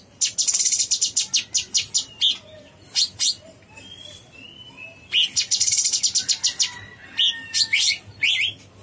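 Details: Cucak cungkok bulbul in full, chattering song: two bursts of quick, sharp notes about five seconds apart, linked by a few clear whistled slurs, against a soft low hum.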